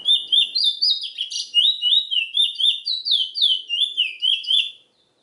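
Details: A chestnut-bellied seed finch, called Trinidad bullfinch, delivers a lively, rapid sequence of rolling down-slurred whistles, about four each second, for nearly five seconds, then falls silent.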